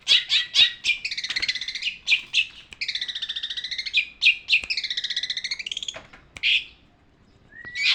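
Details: Long-tailed shrike tutor song for training birds: fast harsh chips leading into buzzy, rattling trilled phrases about a second long, ending in silence and a rising whistle.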